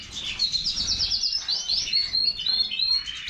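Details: Short burst of European goldfinch song from a major-form bird, a rapid run of repeated high chirping notes followed by thin twitters and slurred whistles, bright and continuous.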